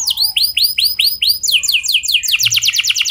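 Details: Canary rolling song used as a singing lure: looping swept whistles repeated about five per second, then a quick switch to fast buzzy rolling notes, loud and clean.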